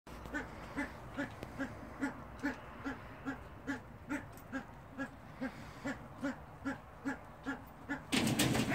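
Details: Himalayan monal: a long, even series of short, low, clucking notes, about two per second and quite regular, ending in a burst of loud broadband noise.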